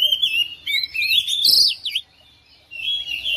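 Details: Domestic oriental magpie-robin responding to another singer with loud, rapid whistled trills and sweeping notes, then a short pause before a fresh burst of song.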